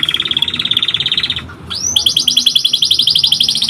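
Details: Canary song in brief: a steady, high, rattling trill of rapid pulses, a short pause, then a sharp upward slur leading into a louder, ringing trill. A soft background hum is audible.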